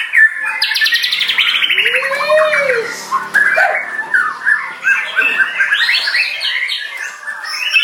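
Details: White-rumped shama in continuous song. Rattling chatter opens, then a smooth low arched whistle, followed by quick rising and falling whistled notes and harsher squawk-like bursts.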